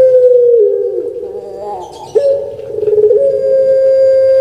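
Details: Kept puter pelung dove, a Barbary dove prized in Java, Indonesia, for its voice, rendered 'kuk gerukkk kwokkk': a long, steady, low hooting coo that dips and wavers midway, then swells back to a sustained note.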